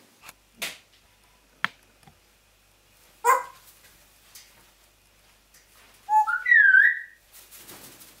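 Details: Pet African grey parrot making noises: scattered clicks, a short burst, then a loud wavering whistled phrase that rises and bends, followed by a softer hiss.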